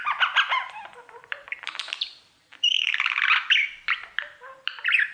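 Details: Budgerigar male performing mirror song: rapid jumbled chirps, clicks and short whistles, briefly pausing, then a brighter run of squeaky warbling.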